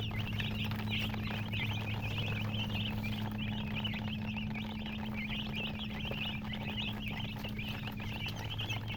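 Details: Colored chicken chicks peeping in a crowd, a steady patter of short, high chirps that eases slightly midway, set against a strong droning hum.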